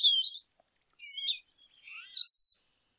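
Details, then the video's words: Lesser goldfinch giving three separate high phrases: a twittering burst, a wavering whistle, and a rising-then-falling sweet note, each split by short silences. "Jilguero Aliblanco Canto - Lesser Goldfinch Song - Lesser Goldfinch Call"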